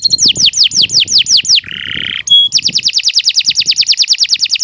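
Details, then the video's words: Canary used as a master singer for young birds, giving a row of about ten falling whistles, a nasal buzz, then a long fast trill of even notes. "Kicau Burung Kenari II GACOR PANJANG Cocok untuk Masteran"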